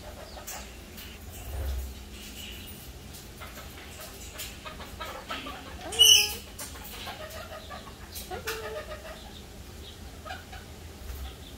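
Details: A cockatoo gives soft clicking, chattering mimicry, said to imitate a lizard sound, with one louder harsh squawk partway through, then a brief nasal talking phrase, likely "hello", in a quiet room.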